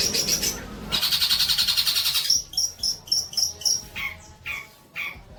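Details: Long-tailed shrike tutor song for young birds: a fast pulsed buzzy trill lasting over a second, then a string of short, sharp notes at about four per second, some lower and clipped.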